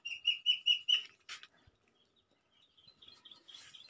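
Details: Tame pet crested myna gives four loud, evenly spaced high chirps, then a brief rustle and a quieter run of thin, scattered notes.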